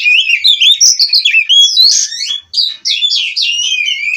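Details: Captive-bred white-rumped shama from Cirebon in continuous song, with fast repeated whistled notes sliding up and down, a short pause midway, then more looping phrases.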